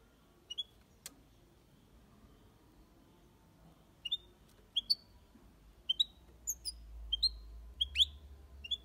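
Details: Caged European goldfinch in an aviary, Malaga copy style singing: scattered high, sharp chirps, some upslurred, coming in short clusters and quickening toward the end against faint low hum.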